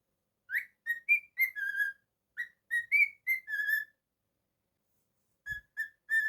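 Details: Pet cockatiel whistling: a slower string of pure tonal notes, short upslurs then longer level and gently falling whistles, a pause of over a second, then three more brief whistles and a faint thump.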